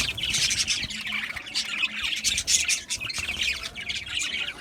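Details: Budgerigars chirping: a dense, continuous chatter of high, scratchy squawks and quick warbled notes from several birds, with no pauses.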